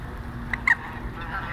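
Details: Two quick nasal honks, the second slightly longer and falling, from one of five noisy geese on the water at a park pond in January, over steady outdoor background noise and a faint voice.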